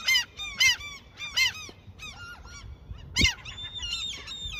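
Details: Seagulls fed by someone fishing in their territory: a few loud, well-separated nasal yelps, then softer calls, one sharp loud note, and a drawn-out high squeal at the end.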